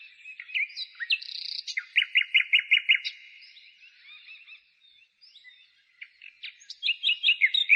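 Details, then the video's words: Birdsong in the countryside outside a town on 15 May 2017, in spring: bright chirping phrases with a fast run of repeated notes, a short lull, then more rapid repeated chirps from several songsters. "Пение птиц"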